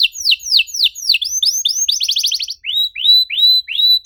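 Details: Canary song of falling whistles running into a quick trill, then softer arching notes that rise and level off, repeated in a rolling rhythm.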